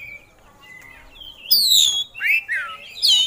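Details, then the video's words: Kacer singing loudly after a quiet start: a long high whistled note that slides down, then falling and rising slurred whistles, ending on another high note. The bird is an oriental magpie-robin showing off its song fill-ins. "Kacer Gacor Bongkar Isian"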